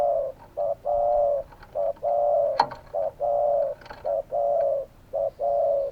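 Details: Spotted dove calling in a steady series of low coos, short notes alternating with longer drawn-out ones, about one per second, with a brief click and faint chirps in the background.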